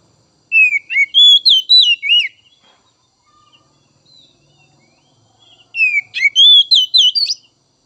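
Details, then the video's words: Oriental magpie-robin song meant to stimulate untrained young and spotted 'trotol' birds: two bursts of rapid, varied whistled notes with twisting slurs and sharp chips, separated by several seconds of near silence. "Merangsang Kacer Bahan dan Trotol!!"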